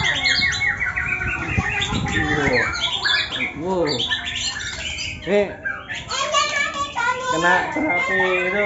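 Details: White-rumped shama (murai batu) giving harsh ngetrek calls, from a bird with cataract and one formerly 'cabul': dense, scratchy, rapidly repeated notes mixed with squawks and short whistles, with people talking over the birds throughout.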